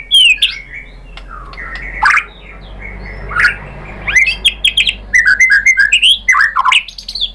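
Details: White-rumped shama singing as a lure for other shamas: scattered whistles and clicks, then a dense stretch of fast varied whistled notes and sharp chips.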